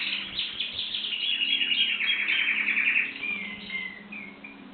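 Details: Singing canary: dense rapid high trills for about three seconds, then a few slower, falling whistled notes as the song fades, with no other clear sounds.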